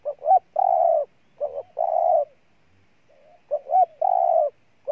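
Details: Spotted dove in Ninh Thuận, Vietnam, repeating its phrase three times: two quick, rising notes, then a sustained low coo, separated by short pauses and a faint soft note.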